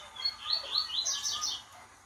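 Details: A two-month-old blue-black grassquit fledgling in a training cage tries out its song: a rambling run of thin, high chirps and squeaky notes, uneven and unpolished, over about a second and a half.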